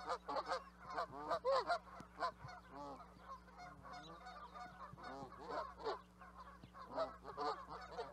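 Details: Canada geese honking in a flock at a distance, softer overlapping nasal calls blending into a continuous murmur of many birds, with a steady low hum throughout.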